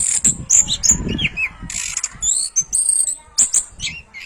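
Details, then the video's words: Rapid, varied orange-headed thrush singing for birds to copy: shrill whistles, buzzy notes and quick slurs tumbling together, with constant low mechanical-sounding background noise. "MASTERAN SUARA BURUNG ANIS KEMBANG GACOR"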